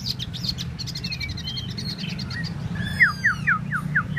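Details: Tieu mi bird singing solo: soft high chatter and a few slurred whistles, followed by a clear series of five loud downslurred notes evenly spaced about a quarter second apart, with a steady low hum behind.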